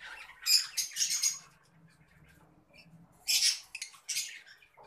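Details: Shrill, rasping chatter from an adult Fischer's lovebird of the green variety. A cluster of loud screechy notes opens, a softer murmuring lull follows, then another burst of harsh shrieks.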